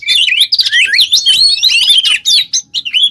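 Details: Short burst of vigorous ngobra song from a kacer, the Oriental magpie-robin, used as a lure and tutor for songbirds; busy, slurred whistles rising and falling, ending in separated single notes.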